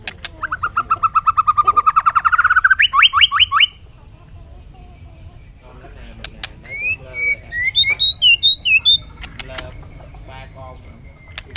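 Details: Bird giving a fast rattling trill that speeds up, then a series of higher sharp notes, followed by scattered thin rising and falling whistles and a few clicks against low background rumble.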